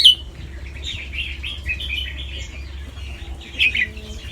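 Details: Caged competition-line red-whiskered bulbul, a white albino fancy bird with red eyes from Chonburi, Thailand, giving rapid doubled song phrases: clear, slurred, chirping notes run closely together, with overlapping bulbul song behind and low background hum.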